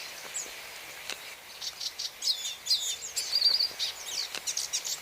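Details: High, thin twittering from a hooded siskin, quiet and scattered at first, then building into quick chirps and a short buzzy trill, with soft background hiss.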